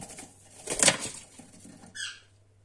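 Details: A captive Fischer's lovebird gives one short, shrill, squeaky chirp after a brief burst of fluttering wings and rustling.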